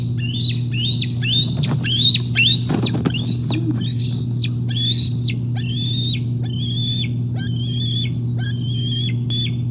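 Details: High piping chatter from bald eagles at the Decorah North nest cam, recorded 8 May 2021 around fish deliveries: rapid upswept whistles with abrupt falls, roughly two per second, plus a brief low thump and steady background hum.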